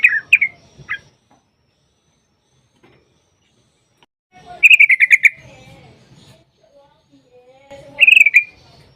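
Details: Bulbul lure recording, sooty-headed bulbul: a few scattered notes, a long silence, then a rapid rolling burst of bright repeated notes and one more short trill at the end.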